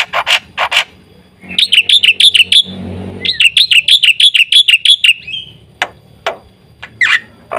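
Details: Black-winged starling singing gacor with full isian: scattered sharp notes, two fast runs of bright repeated chirps separated by a brief low rumble, then spaced clicks and a squeaky note.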